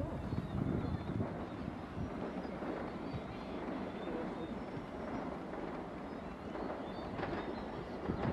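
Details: Steady broadband rumble of wind and distant engine noise throughout, with no animal call standing out.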